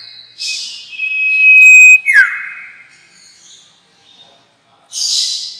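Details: Sirtu lure call for bird trapping: a buzzy high burst, then a long steady whistle that drops in a quick downward slur, followed by soft notes and another buzzy burst.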